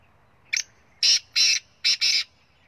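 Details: Black francolin (kala teetar) from Punjab: a short thin opening note, then four loud, harsh, grating notes in under two seconds, the last two almost joined, over a quiet background.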